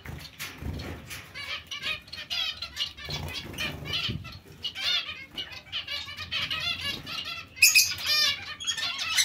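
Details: Colony of zebra finches alongside other finches, a steady chorus of short nasal honks and chirps from several birds at once, interspersed with soft wingbeats and rustling, a sharper burst of calls near the end.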